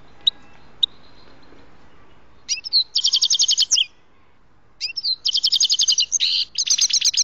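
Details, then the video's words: Grey-headed goldfinch singing during trapping: high, bright twittering in rapid bursts of buzzy repeated notes, each burst lasting about a second, with a few sharp clicks and quiet gaps between phrases. "ловля седоголовие щегол"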